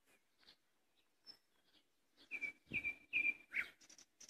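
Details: May song of a common nightingale: soft scattered notes and a high thin whistle, building into loud rapid repeated trills and a rising slurred note, closing with high chips.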